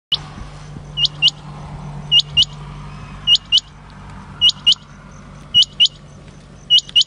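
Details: Quail recorded at Nartopa on 13 March 2021, giving sharp, high paired notes about once a second, steady and insistent, over a low engine-like hum.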